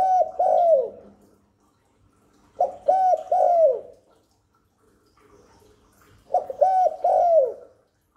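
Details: Spotted dove cooing to lure wild doves and stimulate newly kept birds: three bursts of low, mellow coos, each a quick run of about three notes, spaced roughly three seconds apart, in a quiet indoor setting.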